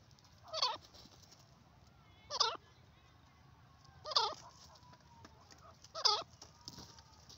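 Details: Francolin (teetar) repeating a harsh, ringing, looping call about every two seconds, four times in total, with a faint click near the end.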